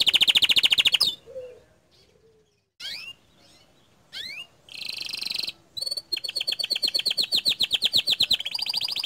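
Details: Bottle-green canary delivering its bursting tutor song meant to rile other canaries: a loud high buzzy roll, a pause, steep falling whistled slurs, then a long run of rapid evenly repeated high notes.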